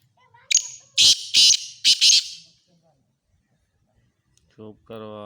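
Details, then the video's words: Black francolin from Khushab, Pakistan, giving a loud, harsh, grating series: a thin high note, then three rasping bursts in quick succession. A man's voice follows briefly at the end. "kala teeter ki awaz"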